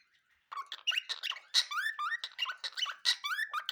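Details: Cockatiel (Nymphicus hollandicus), chirping.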